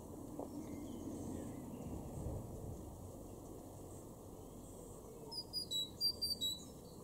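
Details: A great tit in a garden in Weener, East Frisia, northwest Germany, in April 2021, gives a brief burst of thin, high, sharp notes near the end, over a steady low rumble.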